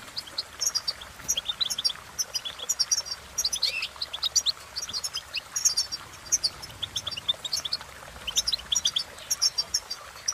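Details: Goldfinch song, a songbird's cheerful tune: rapid, continuous twittering of short high tinkling and buzzy notes, some rising chirps, in bursts over ten seconds with brief pauses; faint low background hum.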